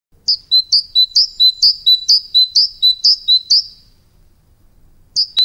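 A tit repeats a bright two-note phrase, a high note dropping to a lower one, about twice a second for several seconds, then starts again.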